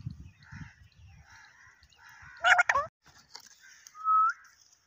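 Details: Pakistani parrot said to talk in Urdu, low rumbling at first, then a loud raspy double squawk followed by a clear, level whistled note.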